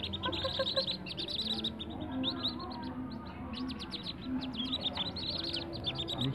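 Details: Captive-bred whistling duck ducklings give a constant chorus of high, thin peeps, several overlapping at a quick pace, over a low background hum.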